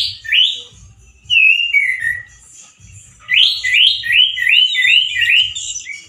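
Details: Male orange-headed thrush singing loudly and harshly, like a wild bird: rich whistled phrases that swoop and fall, then a fast run of about six linked rising-falling notes, over a low background rumble.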